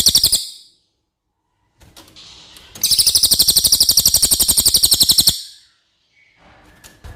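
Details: Cililin song for tutoring contest birds: a brief burst of high chips, a pause with faint noises, then a loud run of rapid, sharp, evenly repeated notes lasting over two seconds before fading into quiet.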